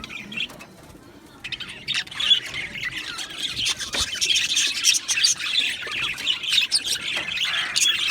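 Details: Budgerigars in an aviary, quieter for the first second or so, then a flock bursts into loud chattering, harsh squawks and high warbled chirps that continue densely to the end.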